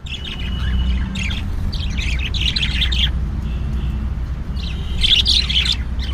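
A budgerigar chirps and warbles in quick, scratchy bursts over a steady low hum.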